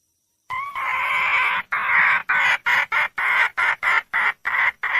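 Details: Female red junglefowl calling for a male: one long harsh squawking note about a second long, then a run of shorter harsh notes repeated roughly every third of a second, with no other sounds.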